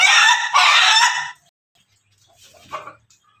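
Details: Crossbred Pelung, Bangkok and Ketawa rooster giving a loud, raspy crow in two strong pulses lasting over a second, then quiet with a faint cluck and a few soft noises.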